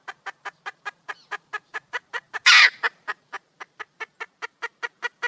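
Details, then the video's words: Wild junglefowl hen calling to attract a male, giving evenly spaced, clipped clucks about four per second, interrupted midway by one loud, harsh, rasping squawk lasting a third of a second before the clucking resumes. "le bruit d'une poule sauvage,เสียงไก่ป่าร้องหาถู่หาตัวผู้,ສຽງໄກ່ປ່າຮ້ອງຫາຄູ່ຮັກ, poj qaib qus see"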